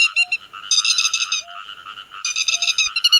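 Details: Grey-headed lapwing calling its flock, a lure sound for netting by night or day: bursts of harsh, buzzy, harmonic-rich calls in two loud volleys, with a short low tone pulsing about once a second underneath.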